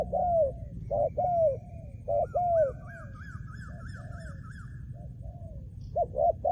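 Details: Trained spotted dove used as a decoy, uttering deep, drawn-out coos in clusters, while another bird adds a quick series of higher, rising chirps in the middle of the sequence.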